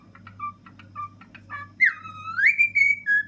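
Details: Pet cockatiel, a ten-year-old male, singing atop a fridge. Quick chirpy notes give way to a loud whistle that dips, climbs and flattens out, over a constant low appliance hum.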